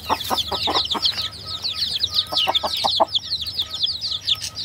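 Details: A flock of chicks cheeps in a steady, high, overlapping stream. A few low, short clucks or knocks punctuate the first second and the middle.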